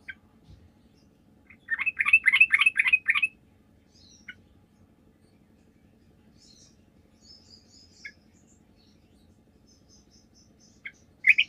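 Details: Sooty-headed bulbul song as a lure for other bulbuls to answer: one dense burst of quick, rattling chirps lasting about a second and a half, then long quiet stretches with a few scattered faint notes and a final sharp note.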